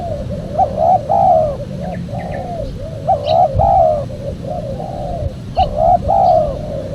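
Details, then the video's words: Lure recording of a spotted dove for attracting wild doves: three repeated cooing phrases, each a quick stuttered note leading into a drawn-out descending coo. Quieter coos fill the gaps, faint chirps sit above, and a low background rumble runs throughout. "PEMANGGIL BURUNG TEKUKUR SUPER JERNIH"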